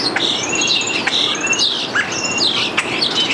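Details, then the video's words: Starling at a nestbox in mid-May imitating a ringing phone with bursts of high, electronic-sounding trills, mixed with squeaky whistles and clicks. "Starling makes a ringing phone sound"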